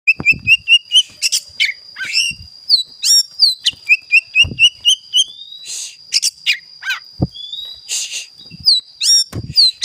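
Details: Oriental magpie-robin singing with a 'mystical' fill-in (isian) style. It delivers rapid runs of bright rising chirps, sharp downslurred whistles and harsh buzzy notes in a varied, jumbled sequence. A constant thin high-pitched tone runs underneath, along with occasional low thumps.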